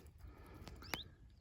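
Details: A nesting female Common Chiffchaff alarming in the background near her nest of big chicks gives a single short, rising whistled note among soft handling clicks and outdoor rustle.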